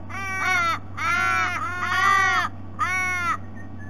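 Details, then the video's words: Ravens visiting a sea-eagle nest at Sydney Olympic Park, Australia, on a February morning: four loud, nasal, arching calls, the middle two run together, over a faint steady hum. "Sample of very noisy Ravens' visit"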